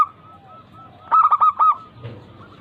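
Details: Local zebra dove, recorded as a lure to rouse lazy doves into song, gives a single crisp phrase of four rapid coos, the last slightly separated, over low background trilling.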